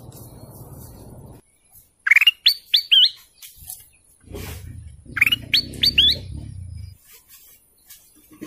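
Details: Canary song: two phrases of rising, whistled notes repeated in quick succession, each phrase about a second long, with low rumbling noise between phrases.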